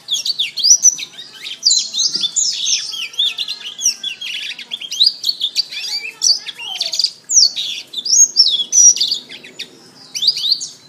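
A canary sings a long, fast, high warbling song of rapid trills, rolling runs and bright whistled sweeps, pausing only briefly. No other sounds stand out.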